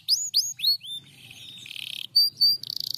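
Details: Canary replying to a lure recording: three loud rising-then-falling whistles, a stretch of dry buzzy rattling, then two short high whistled notes and a quick chattering trill.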